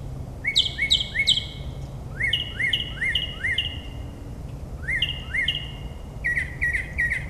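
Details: Mockingbird singing at night in suburban New Jersey, mimicking a dozen species: groups of two or three upslurred whistles, repeated in phrases separated by pauses, with a low background hum.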